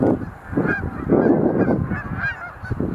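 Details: Sandhill cranes leaping in display at a Montezuma National Wildlife Refuge visitor center, November 2020; overlapping rolled trumpeting calls rise and fall in a crowded chorus over low rumbling.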